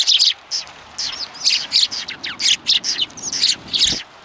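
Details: Sparrows on a bench at a Tenmangū shrine, 21 January 2020. Loud, clear chirps arrive in quick bursts about twice a second, some notes sliding downward, over quiet surroundings.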